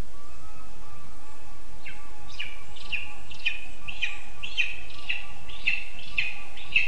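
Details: Begging lesser spotted eagle chick at a spruce nest in Zemgale, Latvia, on 20 August 2024, asking for food: after a quiet start, sharp high down-slurred piping notes come quickly, roughly two per second, over a faint steady hum.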